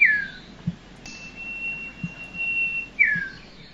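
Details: Common Iora, a common garden bird of Thailand: a long, level, thin high whistle lasting about two seconds, bracketed by short sharply falling notes at start and end; a few low knocks beneath.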